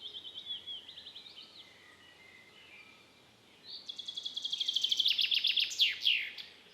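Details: Common chaffinch, also known by the local name metsavaht, singing between April and July: a softer distant phrase first, then a loud close song of rapid repeated bright notes rising into a sweeping terminal flourish.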